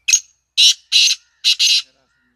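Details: Black francolin giving a harsh, grating call made of five buzzy bursts in a rhythmic series, with the last two run close together, and no other sounds.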